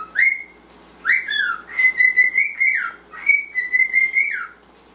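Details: Pet male normal grey cockatiel singing to his male pied companion, with a repertoire of whistles and songs: clear whistled phrases, rising then held level and falling, in three bursts about a second apart, indoors and quiet.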